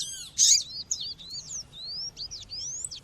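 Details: Female Double-collared Seedeater (coleiro/papa-capim) calling, mixed with nature sounds, used to stir up males: high, thin chirps and sweeping whistled notes, one loud burst near the start, then a string of quick rising and falling twitters.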